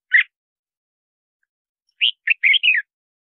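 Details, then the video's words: Red-whiskered bulbul, recorded to call in wild birds and train song: a single chirp, a pause of nearly two seconds, then a tumbling phrase of four or five sweet, slurred whistles. "Tiếng Chào Mào Hót Gọi Bổi"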